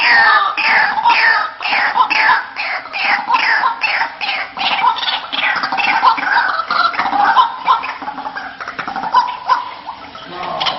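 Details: White-breasted waterhen lure call in a loud, dense, frantic chorus of overlapping harsh, gulping and rising croaks, rhythmic and continuous with no pauses.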